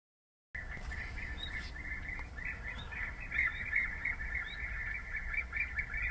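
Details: European bee-eater calling, a steady stream of short rolling trilled notes repeated rapidly, several birds overlapping, with faint higher chirps and low rumbling background noise.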